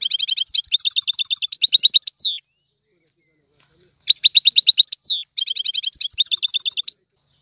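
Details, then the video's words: Goldfinch singing in the tiwawati style: two long phrases of fast, evenly repeated high metallic chirps, each ending in a rising whistled slur, separated by a silent gap of nearly two seconds. "تغريد الحسون طيواواطي"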